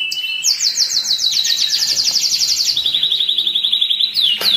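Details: Canary song meant to excite females and stimulate males toward breeding: a rapid sequence of descending high whistled slurs that merges into a steady lower buzzy roll, closing with a sharp falling note.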